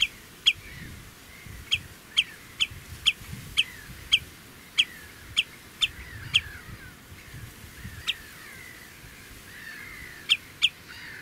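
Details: Common redshank alarming loudly while defending its two chicks, approaching a car and perching on a post at the edge of the Karrevelden near the Oesterdam, Tholen (Schakerloopolder): sharp, piercing high notes repeated about every half second, with short pauses and low rumble.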